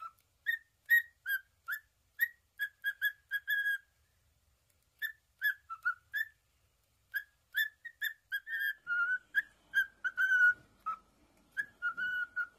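A cockatiel sings a run of clear, short whistled notes, some falling, in quick uneven bursts.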